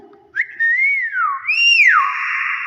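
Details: Nias hill myna whistling in its own natural voice: a smooth tone that rises, falls, then swoops up sharply and drops before holding a long, steady note. Indonesian voices are heard nearby.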